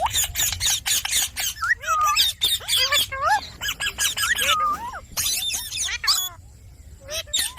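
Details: Indian ringneck parakeet vocalizing: a dense run of harsh, noisy bursts mixed with clear rising and falling whistled, speech-like notes, then brief squeaky phrases toward the end.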